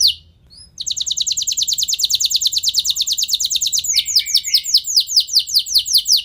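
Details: Canary singing to trigger long rolls in other canaries: after a short pause with two faint notes, a long rapid high trill runs for seconds, shifting into slower, louder downward sweeps.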